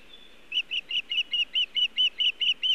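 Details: Osprey calling at a Montana nest, 1 June 2017 around 18:14, bringing nest material but no fish; eleven piercing chirped notes in quick succession after a brief thin whistle.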